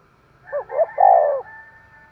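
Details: Low, hollow spotted dove coos in the lively 'thúc gù' style: brief looping notes swell into a sustained, slightly wavering coo that fades out. A faint background hum is present.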